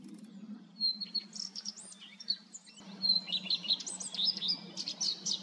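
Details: Common redstart song opening with a short, clear, even whistle, then a run of rapid, varied, scratchy twittering notes, repeated as a second phrase, over a faint low hum.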